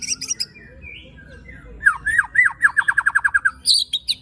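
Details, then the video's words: White-rumped shama song of rough 'tembakan' and 'besetan' style, used to rouse other shamas: brief high chatter, soft lower whistles, then a fast, accelerating string of slurred, looping notes about twelve in a row, ending in higher chips. "Tembakan Dan Besetan Murai Batu Isian Kasar Ampuh Memancing Emosi Murai Batu - Shama Bird"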